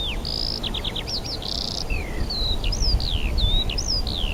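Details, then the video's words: Wild birds singing in spring at Rohozianske reservoir, Kharkiv region, on 4 April 2010; a quick series of clear whistled notes, some held flat, others sliding downward, over a steady low rumble of background noise. "Пение птиц"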